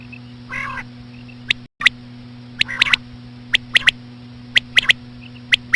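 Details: Female common quail, or batair, calling slowly as a lure for quail. One rough, buzzy note is followed by rapid sharp clicking bursts, often doubled or tripled, with faint chirps. A steady low hum continues throughout.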